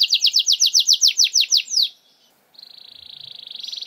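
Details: Canary song played as a lure for canaries that rarely sing: a series of loud downslurred whistled notes about five per second, a pause, then a rising fast buzzy trill.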